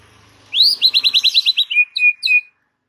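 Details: White-rumped shama song used as a master recording to make a silent bird sing: a rising whistle, then a rapid run of about nine bright repeated notes, ending in three clear steady whistles.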